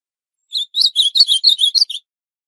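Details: Northeastern Brazilian ultramarine grosbeak (azulão-do-nordeste) sings a quick phrase of about eight bright, slurred, warbled notes over one and a half seconds, high-pitched and clean with no other sounds.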